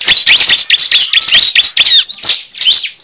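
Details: Lure sound of a cible bird: fast, bright chirping with metallic whistled notes, closely packed and steady, ending in a few drawn-out slurred calls.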